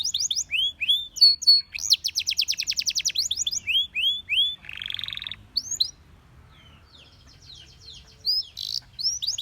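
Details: Belgian canary singing, its song said to draw many other canaries into singing; high whistled slurs give way to a fast rattling trill of repeated notes, then a short buzzy burst, a brief lull, and more sharp whistled phrases.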